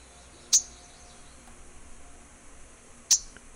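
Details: Mourning Warbler short call: two sharp, very high chip notes about two and a half seconds apart, with quiet background hiss between.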